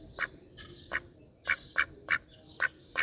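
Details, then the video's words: Softer, sparse duck quacks: single short, nasal calls spaced irregularly, about seven in three seconds, over a quiet background. "Duck Quack Quack Cute Sound || Quacking Sound Of Duck || Ducks Quack Quack Loud Sound"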